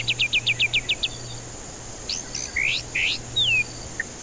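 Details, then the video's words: White-rumped shama song played as a lure to stir stressed birds that are reluctant to sing. A fast run of seven sharp, high, repeated notes is followed by loud whistled sweeps, some rising and some falling, over a steady low hum. "Pancingan murai batu ampuh cocok untuk pancingan murai batu stres malas bunyi"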